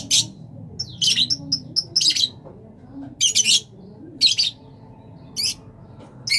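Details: Rosella of various colour mutations uttering clusters of sharp, squeaky chirps at irregular intervals, some in quick doubled notes, over a low background hum.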